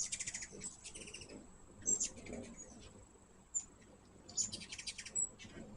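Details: High, rapid chittering from hummingbirds visiting a sugar-water feeder: clustered short chips near the start and again toward the end, separated by sharp single squeaks.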